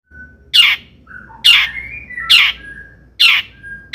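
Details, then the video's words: Long-tailed shrike song used to provoke other shrikes into singing: loud harsh downward-slurred notes repeated about once a second, with thin whistled tones between them. "kicau CENDET GACOR paling DI CARI cocok UNTUK PANCINGAN CENDET AGAR NAIK EMOSI"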